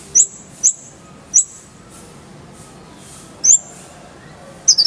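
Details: Van Hasselt's sunbird (kolibri ninja) tutor recording with clear voice: sparse, sharp, very high chirps, three in quick succession, then a pause and two more, the last one stuttered.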